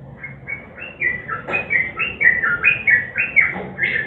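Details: Short whistled notes from a sooty-headed bulbul in 'nguklik' song, meant as a lure for silent birds and blended with 'garuda' sounds; phrases step up and down in pitch and grow louder, about two per second.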